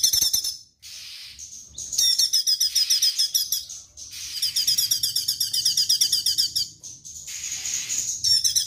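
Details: Straw-headed bulbul singing in the energetic 'tembakan' style: long streams of quick, high, metallic notes, about four per second, broken by short pauses.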